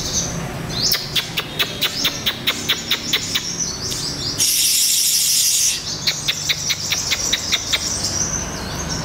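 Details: Young wild-caught olive-backed sunbird kept captive for taming, calling with rapid sharp ticking chips and a high thin trill, broken midway by a loud hissing burst of spray before the chips resume.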